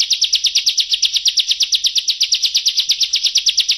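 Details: Bar-winged prinia song used as training material for competition birds: a fast, steady series of short, bright, high chirps, about three per second, closely packed and clear, with no other sounds.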